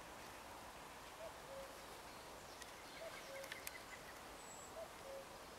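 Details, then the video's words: Common cuckoo singing in spring, in unison with bells: the familiar two-note cu-coo repeated three times about every two seconds, faint and distant over a steady hiss of background noise. "Chant du Coucou gris"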